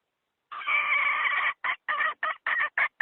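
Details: Hen giving a lure call for trapping wild fowl. It opens with a long, strained, wailing squawk lasting about a second, then breaks into six short, rough cackles in quick succession.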